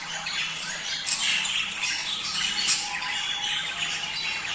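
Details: Budgerigars chattering to stimulate mating: a thick, continuous texture of warbled chirps, squeaky notes and squawks from a crowd of birds, with a faint low hum.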